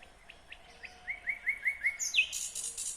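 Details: Nightingale singing in Kyrgyzstan in 2020, a quickening series of identical clipped rising notes that ends in a harsh, buzzy high flourish.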